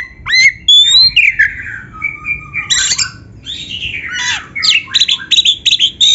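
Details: Varied white-rumped shama song mixing long sliding whistles, buzzy harsh notes and a closing string of rapid repeated chips.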